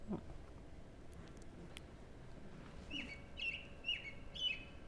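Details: An American Robin, a bird that wakes people early in the morning around Longueuil, Quebec, sings four short, clear caroling phrases about half a second apart, over a steady room hum.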